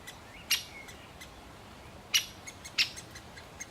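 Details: Male great spotted woodpecker calling while feeding a chick: three sharp, short, explosive notes, spaced unevenly over a few seconds, against quiet background.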